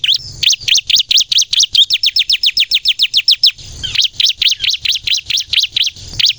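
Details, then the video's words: Lure song of a ciblek kristal (bar-winged prinia) in full 'gacor nembak' style: a steady, fast train of thin descending chirps, then a short break and a slightly slower series of high notes. "suara burung ciblek kristal gacor nembak untuk pikat pancingan ciblek bahan agar bunyi"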